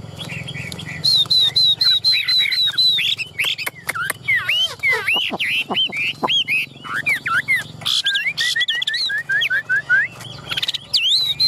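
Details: Caged Chinese hwamei with spread tail and raised wings, singing a loud, varied whistled song: rapid runs of repeated high notes, then sweeping slurred phrases, with brief human voices in the background.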